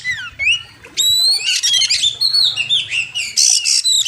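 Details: Oriental magpie-robin song used as a master recording for training birds, with a wild river setting: rapid varied whistles, slurred rising and falling notes and harsh buzzy bursts, loud and continuous.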